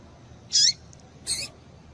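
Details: Female papa-capim seedeater call to make males sing: a high, whistled chip dropping in pitch, then a rougher, buzzier second note.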